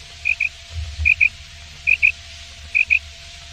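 Common quail calling: short, liquid, high double notes repeated a little under once a second over a faint low hum.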